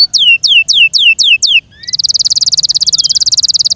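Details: Six clear down-slurred whistles from a kept Yorkshire canary lead into a fast, even, very high buzzing trill that runs to the end.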